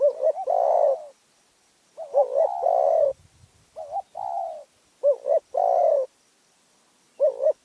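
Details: Spotted dove from Phrae, noted for a small, fierce voice, delivering low cooing phrases of clipped notes and sustained wavering coos in close succession, with a faint low rumble in the background.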